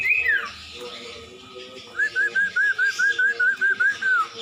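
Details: Masteran song of the common iora (cumpon/sirtu): one high downslurred whistle, a quiet pause, then a steady string of about eleven short, rising whistled notes at an even pace, with soft low background tones.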